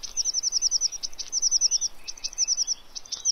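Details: Eurasian blue tit at a fat ball feeder in Pellerey, France, 3 March 2017. Fast series of high, thin, repeated notes given in runs of six to eight, several runs within three seconds.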